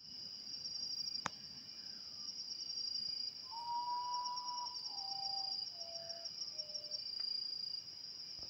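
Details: A common potoo (Nyctibius griseus), the 'mother of the moon' bird, sings a mournful, drawn-out whistle followed by four notes stepping steadily lower, over a constant high, shrill insect drone.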